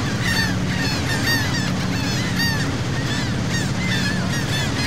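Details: A flock of seagulls near a sea boat off Saint Martin, Cox's Bazar, Bangladesh, giving repeated short, arched, yelping cries that overlap constantly above a continuous low engine hum.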